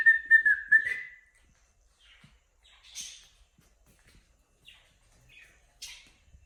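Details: Pet cockatiel chirping: a burst of three quick warbled notes near the start, then scattered soft, brief chirps and buzzy rasps through the rest, with quiet gaps between.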